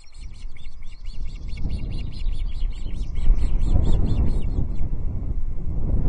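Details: Three osprey chicks at the Loch Arkaig nest on 14 June 2024, feeding on a delivered trout while one chick bullies another: loud, continuous, fast high chirping notes, several per second, with a deep wind rumble beneath.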